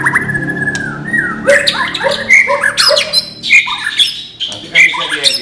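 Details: Non-bubbling song material of a white-rumped shama: a long drawn whistle, then varied chattering phrases with bright ringing notes, harsh squawky bursts and rapid shifting trills.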